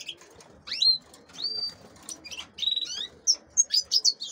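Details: Female canaries in captivity, kept for crossing with goldfinches, utter loud, clear whistled chirps that sweep upward then level off, followed by a quick run of sharp, high tweets near the end.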